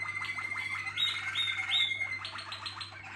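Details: Waterslager (Malinois) canary song: high, rapid trills and chirps with a few sustained whistled notes near the middle, fairly continuous; a steady low hum underneath.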